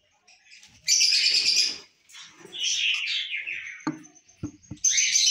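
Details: Captive lovebirds, lutino and masked birds, at a breeding check: loud grating chatter, a softer warbling twitter, a thin steady whistle-like tone and several sharp knocks, ending in another shrill burst.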